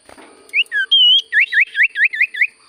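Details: Common Iora in full sirtu song: a couple of whistled notes and one long even whistle, then a run of seven quick swooping whistles repeated at a steady pace.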